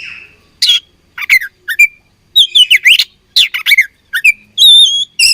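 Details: Oriental magpie-robin song during a fight: grating bursts and downslurred whistles in quick groups, ending with a sustained clear whistle and a final harsh note.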